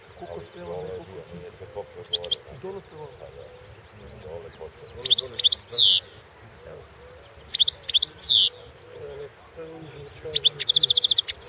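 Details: European goldfinch of the balcanica subspecies recorded for a singing championship: bright twittering phrases with high buzzy trills come in bursts every few seconds, while people talk quietly in the background.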